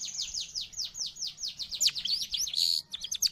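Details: A long-tailed shrike's song, used for tutoring pet birds or luring wild birds, opens with a rapid series of falling high whistles, about four per second, then a jumble of quick chirps and a buzzy note.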